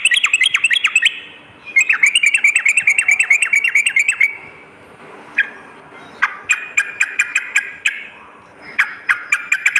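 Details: Night-time Sooty-headed bulbul song meant to strengthen a caged bird's fighting mentality: quick runs of bubbly warbled notes with crisp high clicks, then sparser sharp notes after a pause.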